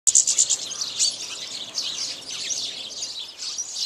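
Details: Several house sparrows, mostly males with at least one female, feeding on bird seed; a dense, overlapping chatter of high, short chirps and tweets runs throughout, loudest in the first second, with faint background noise.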